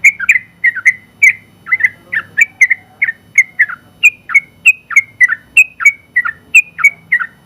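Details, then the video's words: Sooty-headed bulbul, a first-place champion of an open-class contest, singing a long rapid 'ropel' song used as tutor material: bright whistled notes, each with a sharp downward flick, repeated about three times per second in a steady stream. "KICAU Suara Burung Trucukan Gacor ropel panjang ampuh buat masteran trucuk"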